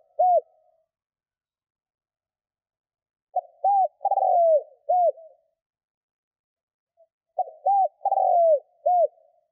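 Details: Spotted dove call used to stir wild doves to respond: repeated phrases of low hollow coos, a drawn-out sliding note and a final short coo, spaced by pauses of several seconds, no other sounds.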